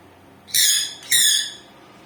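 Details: Pet sun conure parrot calling as if asking for something: two loud, harsh, rasping screeches about half a second long, close together, in a quiet room.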